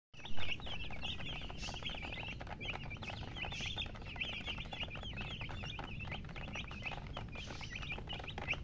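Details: Baby chicken chicks chirping: a dense chorus of short, high, bent peeps tumbling over one another without pause, with a steady low rumble underneath.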